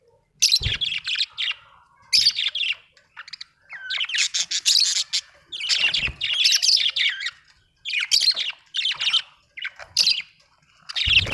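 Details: Budgerigar chattering in repeated bursts of rapid, scratchy high chirps and squawky notes, each burst lasting about a second, with occasional low knocks in between.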